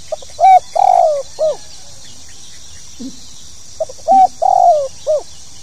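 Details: Spotted dove (tekukur) repeating its 'pokal tanggung' call twice. Each phrase has faint pips, a level coo, a longer falling coo and a short hooked note, with a low soft sound between the phrases.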